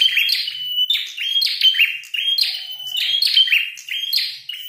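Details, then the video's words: Red-headed prinia in a fight, calling hard with a fast run of bright, buzzy chirps and whistled slurs that run together with hardly a break. "Prenjak tarung gacor"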